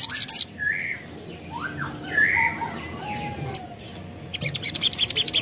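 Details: Spiderhunter lure song with added phrases, intended to draw replies from other spiderhunters: high ticks at the start, a few mid-pitched slurred whistles, then a quickening series of bright chips.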